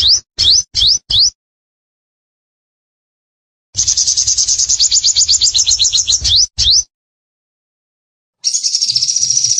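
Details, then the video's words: Vigorously singing sunbird, meant for bird tutoring and luring: four quick rising whistled notes, a pause, then a long buzzy high trill, one more rising note, and finally a steady high warbling trill. "Sogon Gacor!! Master, Pikat & Terapi air"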